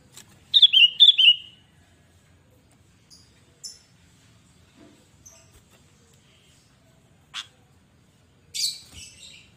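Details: Sooty-headed bulbul, a lively singing bird, gives a short burst of two clear whistled notes that slide downward, followed by long quiet gaps broken by a few faint clicks and chips.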